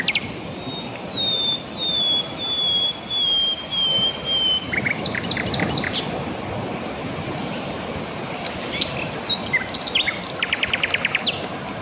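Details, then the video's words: Mugimaki flycatcher song: a long thin whistled trill sliding gently downward, then bursts of sharp high clicks and chirps with brief rising notes, over steady background hiss. "kicauan merdu burung sikatan londo"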